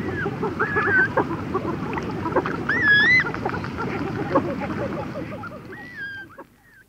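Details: Red-gartered Coots, chicks with adults, trading conversational calls up close: scattered short clicks and a few bending whistled notes, fading toward the end over low rumbling noise.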